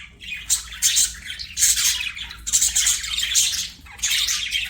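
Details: Budgerigar kept as a pet, chattering steadily with bright, raspy warbles and squeaks in uneven bursts throughout.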